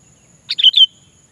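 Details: Sooty-headed bulbul (kutilang) calling a rival, a lure call: one quick bubbly phrase of three or four warbled notes over about half a second, against a faint steady background hiss.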